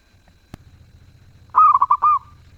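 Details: Zebra dove with a sweet, active song: after a sharp click, one loud phrase of five quick mellow coos rising into a longer drawn-out final note.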